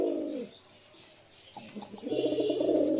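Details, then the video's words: Short pigeon coos: a low rolling coo fades out, a quiet pause with faint clicks follows, then a loud throaty coo builds at the end. "Pigeon Sound Effect 🦅 Pigeon Sound 🦅 কবুতরের ডাক"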